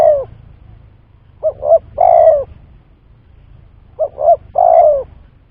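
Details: Spotted dove calling as a trapping lure, its phrase repeated twice: two quick short coos followed by a longer, smooth, slightly descending coo, with about two seconds between phrases and faint low background hum.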